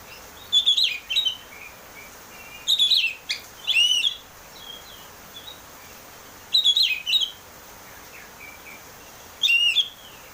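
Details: Oriental magpie-robin singing openly in 'ngeplong' style to spur a caged bird into song: rich, varied whistled and warbled phrases in bursts every two to three seconds, with soft chips between.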